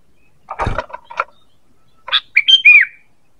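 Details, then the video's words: Sooty-headed bulbul call of the kind used to lure birds: a few dry clicks, then a bright, bubbly run of whistled notes ending in a slurred, falling whistle. "Suara PANGGILAN dan pikat ampuh burung KUTILANG"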